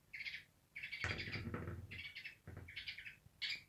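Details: Angry African grey parrot barking: harsh, raspy bursts in short groups, the longest lasting about a second, with a lower-pitched rumbling noise in the middle of the sequence.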